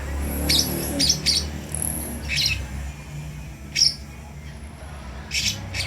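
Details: Baby lovebird trying out its voice; a few scattered scratchy chirps and a thin high whistle, separated by pauses, over a noticeable low rumble.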